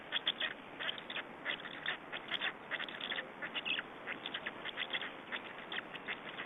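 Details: Black storks in Estonia at a feeding, 20 May 2012: a fast series of harsh, rasping pulses, several each second, running unevenly throughout.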